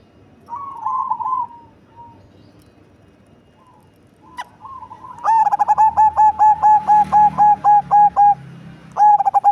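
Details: Perkutut cemani zebra dove, big-bodied with a deep bass voice: soft wavering coos, then a long fast series of about fourteen loud evenly spaced pulsed notes, a brief gap, and more.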